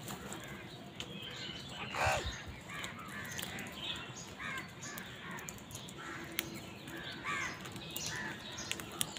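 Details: Crows fighting over food: one loud, harsh caw with stacked harmonics near the two-second mark, followed by several fainter, rougher caws over a steady outdoor background hiss.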